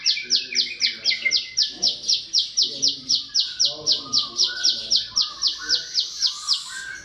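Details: Bar-winged prinia song used as training material for songbirds: a long, rapid run of uniform buzzy chips at roughly four per second, very regular, with faint softer twittering in the background.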